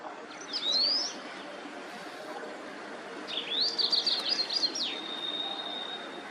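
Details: White-browed wagtail: a single sharp rising whistle, a pause, then a rapid run of zigzag whistled notes ending in a held, steady high tone.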